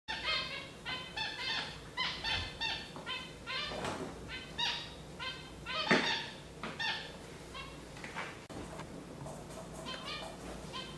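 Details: Gouldian finches calling, a busy run of short nasal, buzzy notes repeated in quick bursts through the whole stretch, several birds overlapping, with a few louder harsh notes near the middle.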